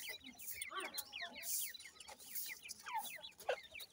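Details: Black francolin chicks giving short downward-slurred peeps and chirps in rapid irregular series, mixed with hissing bursts of handling noise.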